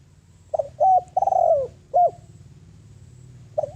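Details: Lure spotted dove cooing to attract wild doves: one full phrase of soft hooting notes, a short coo, a paired coo, a long sliding descending coo and a sharp final coo, then another phrase begins. Low hum underneath.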